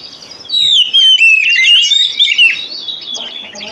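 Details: Oriental magpie-robin lure song for encouraging a silent magpie-robin to sing: a dense, loud flow of sliding whistles and fast twitters that fades into softer notes.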